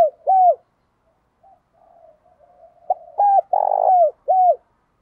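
A Spotted Dove gives soft, low, arched coos in short repeated bursts, a call to challenge rivals.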